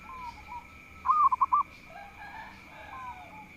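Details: Zebra dove of a local strain, singing eagerly to draw rivals into answering: one clear phrase of rapid, rounded cooing notes, with fainter similar coos before and after and a constant thin whine behind.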